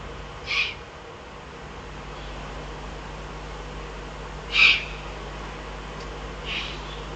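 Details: Eurasian eagle-owl heard in Germany's Eifel region on 22 June 2012, producing three spaced, noisy hissing calls roughly two to four seconds apart, the middle strongest, over low steady hum.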